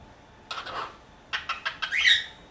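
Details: A pet cockatiel from Dortmund-Huckarde, Germany, gives a rough squawk, then four quick harsh chirps, ending in a short rising whistled squeal.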